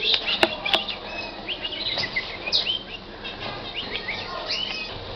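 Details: Libyan canary song: bright chirps and short warbled notes, some rising and falling, delivered in a quick irregular stream, with two sharp clicks near the start and faint background noise.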